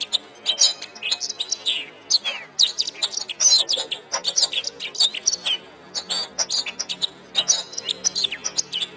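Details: Canary song used as a master recording for training other songbirds: bright, high chirps, whistled slurs and quick trills delivered in energetic bursts with brief pauses, recorded cleanly with no other sounds.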